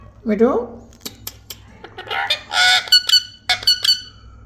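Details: Parrot making a short rising squawk, then scattered clicks and loud, rasping, broadband screeches.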